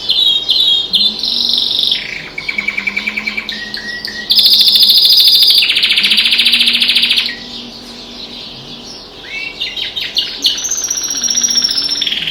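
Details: Pet canary singing indoors while other birds call outside the window: loud, high, continuous song of fast buzzy trills, rolling chatters and sharp whistled notes, changing phrase every few seconds.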